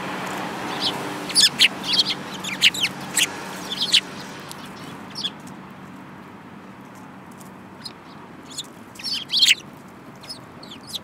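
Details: Group of sparrows in February 2018, one with a yellow beak: rapid clusters of sharp, high chirps in the first four seconds, a quieter pause, then another lively burst of overlapping chirps near the end.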